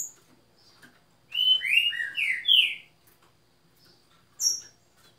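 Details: Song of a green-winged saltator: a phrase of five rich, overlapping, slurred whistles, rising and falling, lasting about a second and a half. A thin, high chirp is heard afterward.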